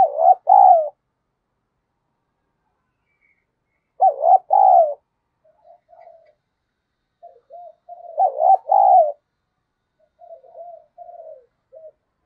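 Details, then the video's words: Decoy spotted dove cooing and calling to lure wild doves: three loud, deep two-part coo phrases about four seconds apart, each followed by softer, quieter low coo notes trailing off. "Chim Cu Mồi Thúc Gù + Gáy Gọi"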